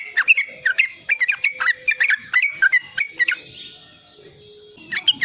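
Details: Young yellow-vented bulbul singing riwikan for luring and tutoring other bulbuls: rapid, rollicking sharp chirps for three seconds, a quiet stretch with a faint steady tone, then renewed chirping at the end.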